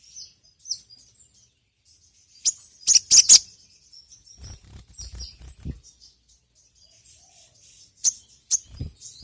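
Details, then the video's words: Lure sound of the sogon sunbird: sparse, thin high chirps, with a loud burst of two or three notes and a soft low rumble in between. "PANCINGAN BURUNG SOGON TERAMPUH SEPANJANG MASSA..!"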